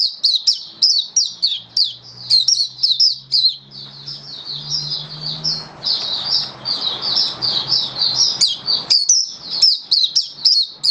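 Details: Caged oriental white-eye (mata puteh) in buka sing song display: a continuous stream of high, rapid, sharply slurred chirps and twittering notes running nearly eleven seconds, with faint low hum beneath.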